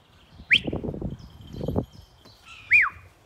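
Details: A male New Zealand falcon being called in gives two loud, high, arched whistled notes about two seconds apart, over low rustling and thumping noise.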